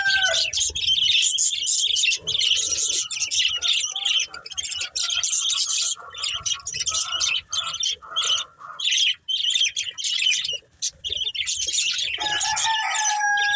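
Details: Budgerigars, a breeding pair, keep up long rasping, chirping warbles in repeated bursts, with a few steady lower tonal calls from another bird at the start and end.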